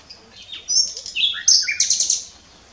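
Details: Nightingale singing at s'Albufera, Mallorca, in 2017: a short burst of high whistled notes and sliding phrases, ending in a rapid run of repeated sharp chirps, over a quiet background.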